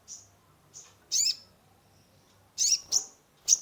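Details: High sharp notes from a caged sunbird known as kolibri ninja, used as a lure for a stressed bird: soft chirps, a loud burst, a pause, then three quick emphatic notes.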